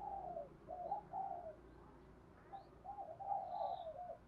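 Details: Spotted dove giving a provoking fighting coo, played to make wild doves call and come in quickly during trapping; low mellow cooing in two phrases of short wavering notes, with a gap between them and faint high chirps of other birds.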